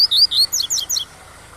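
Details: Tui-tui style song of a captive double-collared seedeater, used as a teaching song for young birds: a rapid run of high, bright, slurred whistles descending in short steps, with faint waterfall hiss underneath.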